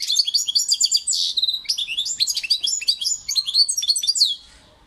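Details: A continuous four-second outpouring of goldfinch song: rapid, liquid twittering with varied chirps, short trills and a buzzy note, ending abruptly into quiet.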